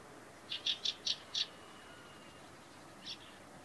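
A Fieldfare gives a quick run of five harsh, clipped chack notes, then a single note after a pause, against quiet background hiss.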